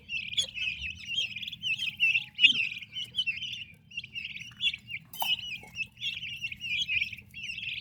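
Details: Turkey chicks with their mother give bright, high peeps in short rising and falling phrases, repeated roughly every half second. A sharp knock sounds midway.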